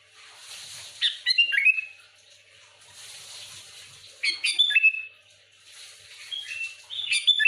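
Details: Sooty-headed bulbul singing to provoke rival bulbuls: a few quick bubbly phrases ending in a whistled slur, spaced several seconds apart over a soft hiss.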